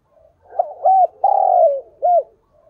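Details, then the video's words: A close, clear calling coo from a decoy spotted dove. A brief note leads into a hooted coo, then a sustained, rough, gently descending coo, and it ends with one rounded hoot. "Chim Cu Mồi gáy gọi và Thúc Bổi hay"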